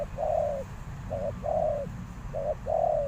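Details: Spotted dove used as a decoy, calling to lure wild doves. Low, mellow cooing comes in pairs: a short coo followed by a longer drawn-out one, repeated about every 1.2 seconds over a steady low rumble of background noise.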